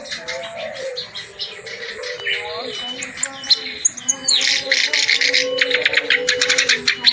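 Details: Clamorous reed warbler in full song, using varied material suited to tutoring lazy singers of its species. The song starts quieter and grating, then builds into rapid, loud rattling notes repeated in quick series.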